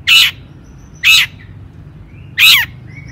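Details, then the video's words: Long-tailed shrike calling in 'toet toet' style to provoke rival shrikes to sing: three loud rasping squawks roughly a second apart, the last ending in a downward slur, with thin whistles between. "cendet gacor AMPUH TOET TOET PANCINGAN CENDET AGAR BUNYI"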